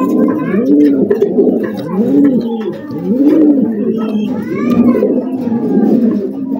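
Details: Farm pigeons cooing indoors: low, soft, rolling coos that rise and fall, repeated in overlapping phrases about every second, with faint higher chatter above.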